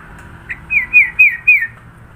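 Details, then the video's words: Sooty-headed bulbul from Sidoarjo, East Java, giving a varied song rich in fill-in phrases: four clear, bright whistled notes, each sliding downward, repeated about every quarter second over a faint background hum. "Burung kutilang suara isian banyak"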